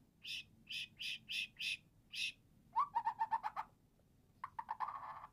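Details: Eight-month-old white-rumped shama in teler song: six evenly spaced buzzy notes, then a quick series of clipped whistles, a pause and a final rapid chattering trill, heard quietly over steady background hum.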